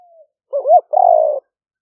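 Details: Spotted dove recorded live by smartphone in rainy-season rice fields of Roi Et, Thailand, 2021, as a decoy in liu fueang style: a soft tail note, a sliding rising two-part note, then one long level coo.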